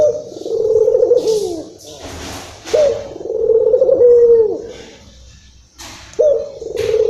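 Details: Local Barbary dove in an agitated state, used as bait sound for other doves: three rolling coos with falling ends, broken by short bursts of clattering or rustling noise.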